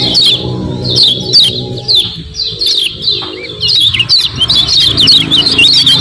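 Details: Lure recording of a common iora: quick bursts of sharp, high twittering notes and downward-sweeping chirps, briefly pausing near the middle, over a steady low background hum.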